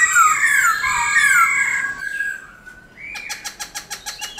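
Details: Black-throated laughingthrush singing forest song, used to stimulate caged birds: loud, warbling, ringing whistles that taper into a long falling tone, then a fast, even series of short clicking notes about six per second.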